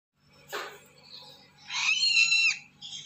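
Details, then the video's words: Lesser sulphur-crested cockatoo chick begging: a brief broadband rasp, then a harsh, wavering, high squeal lasting under a second, with a short squawk at the end over a faint low hum. "Anakan kakatua lesser pipi kuning"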